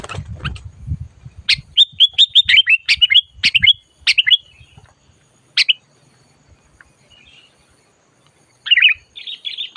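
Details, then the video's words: Sooty-headed bulbul calling loudly and fiercely while brought along for bird trapping; a run of quick bubbly, downslurred chirps in a cluster, then isolated notes and a final chattering phrase, with faint low thumps early on. "SUARA BURUNG MACIT DISAAt DIBAWA MIkat"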